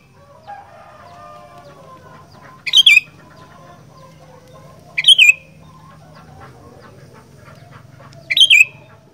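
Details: Kutilang (sooty-headed bulbul) singing fighter-style gacor: three bright, fast bubbling phrases spaced two to three seconds apart over a constant low hum and faint background chatter.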